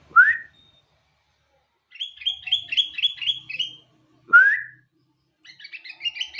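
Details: Morning song of a sooty-headed bulbul with isian phrases: clear upslurred whistles alternate with rapid runs of repeated short chirping notes, each whistle followed by a chattering sequence lasting a second or two.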